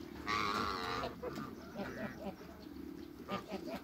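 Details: African and Toulouse geese meeting new geese on a Greek farm; a loud nasal honk in the first second, followed by softer, broken honks and gabbling over a rumbling background with some human voices.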